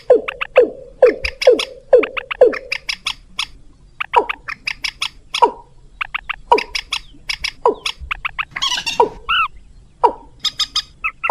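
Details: Rail lure call, mixed with watercock sounds, used to draw birds in within five minutes: a run of five low, downward-sliding notes, then scattered sharp clicking bursts and higher paired chirps, with one brief harsh squeal near the end.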